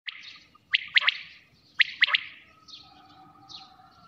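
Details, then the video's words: Quail calling at night, a few sharp, high triple-note bursts in quick succession, each triplet separated by about a second, with fainter drawn-out tones trailing afterward. "batair Bulara"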